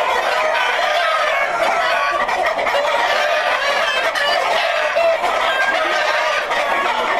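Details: Breeding flock of Black Jersey Giant chickens kept to produce hatching eggs, giving a steady din of overlapping clucks and squawks from many birds at once, with no break in the chatter.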